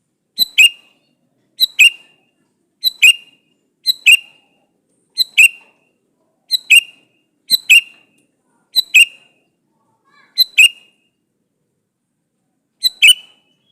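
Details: Male sooty-headed bulbul calling a female, used to lure bulbuls into answering: ten short two-note calls, a high clipped note then a lower slurred one, given roughly every 1.2 seconds.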